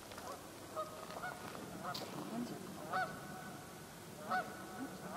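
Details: Geese gathered on a pond during autumn migration, about sixty birds, October afternoon; several distant nasal honks with stacked harmonics, clearest near one, three and four and a half seconds, over a constant low rumble.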